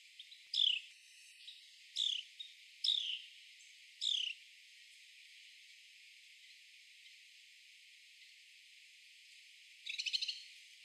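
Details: Male Carolina wren clinging and crawling on a tree trunk while catching insects, giving four clear, downslurred notes about a second apart, then silence and a brief rough burst near the end.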